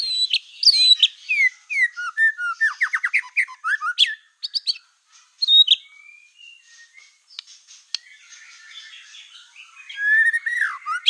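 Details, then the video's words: Black-tailed white-rumped shama in lively full song, used as a lure to provoke other shamas: rapid varied whistles, sweeping slurred notes and quick trills, dense for the first five seconds, then sparser phrases before a renewed burst at the end. "PANCINGAN MURAI BATU EKOR HITAM GACOR, SEKALI DENGAR AMPUH BIKIN MURAI APAPUN LANGSUNG EMOSI"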